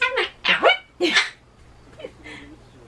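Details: Pet Solomons cockatoo indoors that shrieks at loud noises such as campaign cars; three loud grating squawks in quick succession, followed by softer fading calls.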